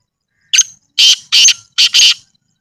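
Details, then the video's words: Black francolin (kala teetar) calling in a natural village environment: five loud, harsh, scraping notes in a quick phrase lasting about one and a half seconds, the last two closely paired, with no other sounds. "Kala Teetar Ki Awaz | Black Francolin Voice"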